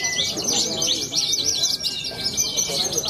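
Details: A young Australasian bushlark at a songbird contest in Cilacap produces quick looping chirps in a tight repeated pattern, with a thin steady whistle from another bird and low crowd sound.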